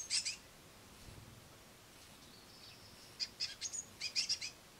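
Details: Great tit brood on a window sill, noisy young begging as a parent feeds them crushed madeleines; brief high thin chirps at the start, then a rapid burst of sharp high chirps near the end over quiet background.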